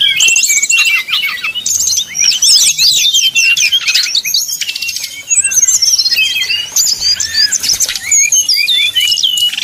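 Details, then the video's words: Brown-chested jungle flycatcher, 'nyuling' flute-like song meant to provoke rivals: long, dense, energetic sequence of piercing whistles, rattling trills and quick slurred notes, barely pausing throughout. "srdc nyuling bikin lawan jadi panas penuh emosi"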